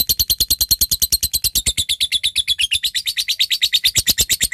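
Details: Lovebird in full song, calling a rival with its long chatter, known locally as ngekek panjang. A loud, shrill, rapid chattering of about three notes a second runs without pause, slightly harsh and buzzy throughout.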